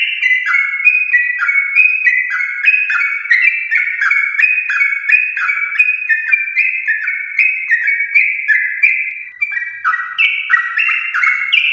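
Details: Yellow-vented bulbul from a champion line delivering a long rapid roll of song, for prompting home birds to sing: steady cascade of clear stepped whistles, about three phrases a second, barely a break throughout.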